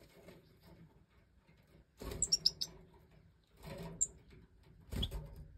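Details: European goldfinch of the Major type: a hen feeds the last five chicks, which have jumped out of the nest, in the 2024 breeding season. Short, very high, thin chirps come in a quick cluster, then single chirps, amid rustling bursts.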